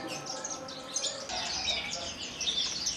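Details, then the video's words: Horsfield's bush lark kept in captivity, originally from Kulon Progo, Indonesia, singing 'Jambul' style: fast, high, twittering chirps and brief whistles in a continuous stream, with faint low hum behind. "KICAU DAN GAYA "BEGAWAN", BRANJANGAN TLATAH ASLI KULON PROGO"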